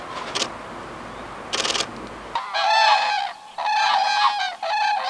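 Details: European common cranes at a lake in summer 2019, where about 100 non-breeding cranes gather to spend the night on the shore, give three loud rolling trumpet notes, each near a second long, after some rustling.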